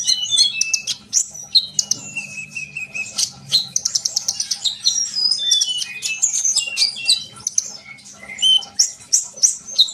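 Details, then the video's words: {'caption': 'Sunbird singing continuously, meant to prompt other birds into song: dense high chattering, squeaky slurred whistles and clipped chip notes in irregular bursts, with a faint low hum underneath.'} "kolibri bahan pasti yaut dengar suara konin ini gacor?"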